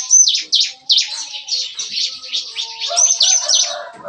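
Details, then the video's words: Bar-winged prinias in a breeding aviary cage in the morning, singing the busy 'nembak-nembak' (shooting) style: rapid high, sharp chirps repeated several times a second, with faint low steady tones underneath. "Nembak-nembak! Kicauan CiKris Pagi Hari"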